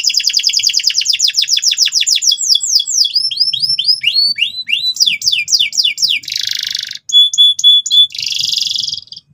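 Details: Energetic canary singing loudly to teach young birds the ngeriwik sound. Rapid downward-sweeping notes run together, then a harsh buzzy burst, brief clipped notes and another grating trill.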